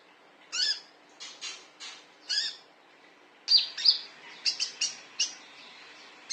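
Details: A male konin gives sharp, high chirps in short bursts, some paired, repeated unevenly every fraction of a second, over a quiet background; the call is meant as a lure to draw birds in.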